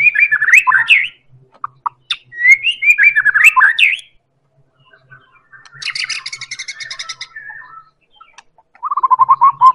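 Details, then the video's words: White-rumped shama of the Medan type, a lure song to make other birds sing: loud varied whistled phrases sliding up and down, a harsh buzzy rattling burst, then a fast low trill, with faint low thumps underneath. "Real Pancingan Murai Batu Medan Super"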